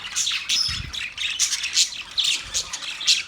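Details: A group of budgies chattering steadily, with overlapping squeaky chirps and bright warbled notes packed close together, and a brief soft low thump near the start.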